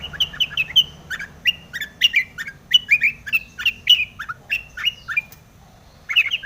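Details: Long-tailed shrike singing a lure song meant to get other shrikes singing: series of short, falling, slightly buzzy whistled notes repeated about twice per second, then a pause and a final burst.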